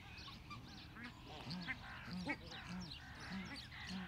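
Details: Australian shelduck (Tadorna tadornoides) from a Dutch ornamental waterfowl collection: low, hoarse honking notes repeated about every half second, with scattered higher bird chirps and a constant low hum behind.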